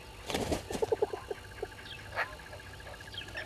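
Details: At dawn, 05:44 on 10/02/21, a wild yellow-billed hornbill by a waterhole in Djuma Game Reserve, Sabi Sand Wildtuin, South Africa, gives a short burst of low hollow clucks that slow and fade, while another bird repeats a thin high trill.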